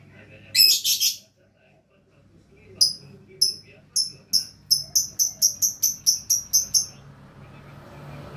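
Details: Lovebird opening with a scratchy chirp burst, then a long run of crisp, evenly spaced high ticking notes that speed up and repeat about twice per second before fading into soft background noise.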